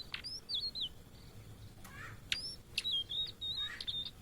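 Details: Blue-and-white flycatcher, a migrant bird often met in Indonesia, giving thin, high whistled notes: wavering slurs, then steady drawn-out whistles. Sharp clicks and lower chirps from other birds are heard, with a soft steady hum underneath.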